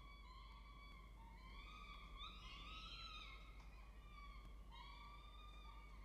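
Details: A peregrine falcon from a family using a nest box gives a drawn-out, harmonic wailing whine that wavers gently up and down and barely breaks for six seconds, over a steady low hum.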